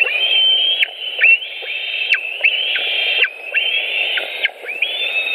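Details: White-tailed eagles at their nest with fish in Latvia, 5 July 2018, 18:05: a run of loud, thin, sustained whistles, each closing with a quick falling slur, nearly continuous over a low rushing hiss.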